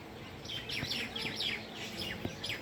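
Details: House sparrow chirping in the evening: a steady run of short, bright chirps, several per second, each dropping sharply in pitch, continuing over a low background hum.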